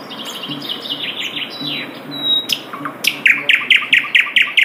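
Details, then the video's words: Asian brown flycatcher in the wild: soft high twittering and a thin flat whistle, then a loud series of evenly spaced sharp chirps, roughly two per second. "SUARA MERDU SIKATAN LONDO DI ALAM LIAR"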